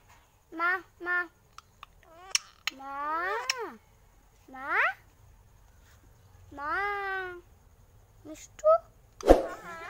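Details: Alexandrine parakeet imitating human talk with scattered, rounded, harmonic syllables: two short notes, then longer arching phrases, separated by quiet gaps and a few clicks. Soft music in the background.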